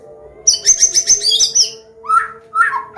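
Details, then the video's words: White-rumped shama of the Medan type singing a combination song for young birds to learn from. Dense, rapid high chattering, then two looping whistled phrases, with a low constant hum behind. "SUARA KOMBINASI MURAI BATU"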